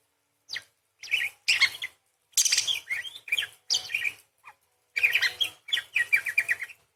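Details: Parakeet singing gacor with long 'nembak' phrases and 'crecet' rolls; near-continuous scratchy, buzzy chatter broken by short pauses, ending in a fast run of clipped, repeated chirps.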